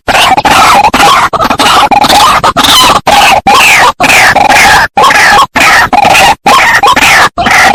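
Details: Waterhen lure recording meant to call white-breasted waterhens in: grating, croaking bursts with slurred rising notes, repeated in irregular phrases separated by short pauses.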